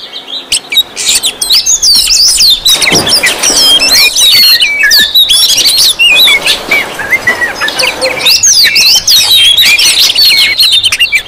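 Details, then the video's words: Oriental magpie-robins in a noisy, crowded chorus used as a lure to provoke other magpie-robins: dense overlapping high whistles, warbles and chirps pour out continuously, with a short lull near three seconds. "Suara Kacer ribut Rame Banget sangat cocok buat pancingan"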